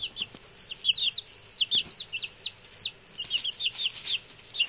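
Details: Newly arrived male chicks, six in number, give loud arched peeps in irregular clusters, some notes rising then falling, with a burst of rustling near the end.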